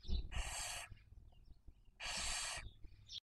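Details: Barn owls rearing young in Cabañeros National Park, Spain, breeding season 2023, filmed by webcam. Two strong broadband hisses, each nearly a second long, with soft chirps in the pause between.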